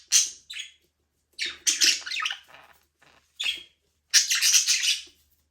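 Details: Aviary budgies playing and flying freely give sharp, raspy chirps, a loud pair, then a long chattering run and a final cluster of harsh squeaky notes.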